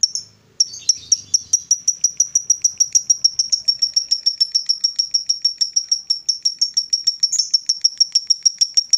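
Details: Rival-provoking female fighter lovebird delivering a long ngekek: after a brief opening squeak, rapid metallic high notes repeat in an even, rattling chain for over eight seconds without a break.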